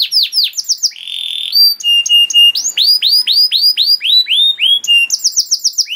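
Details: Canary master song for juvenile canaries: clear whistled flat tones and bright descending slurs in separate phrases, with quick twittering bursts between them.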